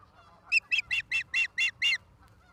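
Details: Ospreys at a nest in Charlo, Montana, recorded by a live nest camera on 09/11/2023 at 16:04: seven short, high, clear chirping notes, evenly spaced and nearly equal in loudness, over a quiet background.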